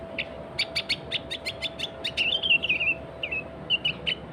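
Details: Sooty-headed bulbul (kutilang) calling in an energetic style meant to lure other bulbuls: rapid sharp clicking chips repeated steadily, then warbling whistled phrases and a few scattered whistles, over a faint hum.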